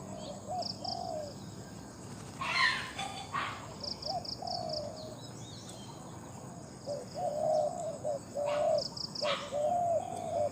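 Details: Spotted dove in competition calling gives several low, hollow coo phrases, some notes drawn out and gently wavering. High quick chirping from another bird and a constant insect buzz run beneath, with a few sharp clicks.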